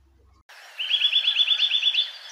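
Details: A Eurasian Nuthatch singing in winter gives a fast, even series of about eleven clear whistled notes, rising and falling, at roughly seven per second, over a soft background hiss.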